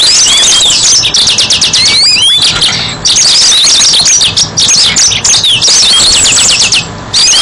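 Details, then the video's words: Yellow-fronted canary singing for use as a bird lure: fast rattling trills of repeated high notes interwoven with sliding whistles, running almost without pause against a noisy background. "Suara Burung Mozambik Buat Pancingan"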